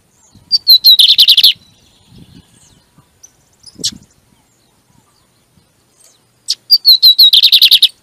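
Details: Lined seedeater singing, used to fire up other kept birds: two loud phrases of bright chirps speeding into rapid buzzy trills, separated by several seconds of near silence with faint low knocks.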